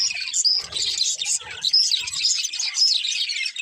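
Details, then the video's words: Budgerigars, a happy group singing and playing: busy overlapping chirps and warbled twitters with a few sharp whistled notes, plus soft low rustling or pecking thuds in short bursts. "Budgies Chirping Sounds | Happy Parakeets Sing and Playing"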